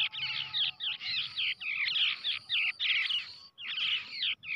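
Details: Loud, almost continuous harsh chattering from a hand-reared brown shrike chick raised from an egg, broken by brief pauses.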